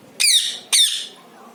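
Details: Pet parrot giving two loud harsh squawks about half a second apart, each a rich harmonic burst high in pitch, falling slightly, recorded indoors in a quiet room.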